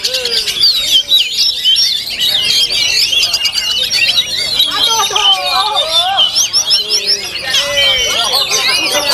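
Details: Contest kacer, Oriental magpie-robin, delivering a rich flowing song of high whistles, quick trills and looping slurred phrases, with lower slurred notes from other birds and background voices at a songbird contest.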